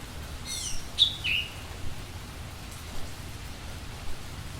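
A budgerigar gives a few quick, high chirps and twitters over a steady low background hum.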